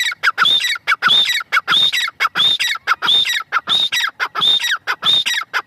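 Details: Female francolin giving a fast repeated call, a high whistled note and a descending rasping stutter, phrases roughly every two thirds of a second, harsh and noisy throughout.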